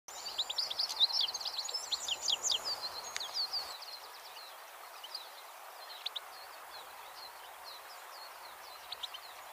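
Goldfinch song: a fast, tumbling jumble of high twittering notes for about four seconds, then thinning to scattered chirps over a steady background hiss.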